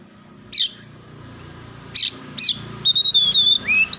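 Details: Oriental magpie-robin singing with sparrow-style elements: three separated sharp chirps, then a rapid string of clear high whistled notes and a rising slur, over steady low background noise.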